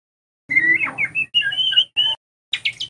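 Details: White-rumped shama master song meant to teach young shamas loud singing: long steady whistles broken by a warbled twist, a bright sustained high phrase, a short whistle, then quick high chirping notes, with a low background hum.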